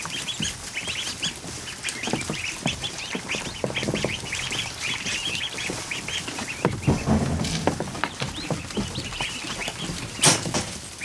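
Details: Over a hundred newly hatched ducklings in a kiddie pool in a barn: dense continuous chorus of high peeping calls, with splashing and background noise.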